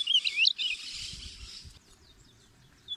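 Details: Ultramarine grosbeak (reina mora) singing, recorded for teaching and calling birds: a quick burst of bright, warbled high notes in the first half second, then faint scattered twitters fading over a low background rumble.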